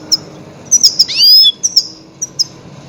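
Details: Goldfinch calls used as a lure for trapping grey-headed goldfinches: sharp high twittering notes in short bursts, with a louder sweeping, slurred phrase in the middle, over a quiet background.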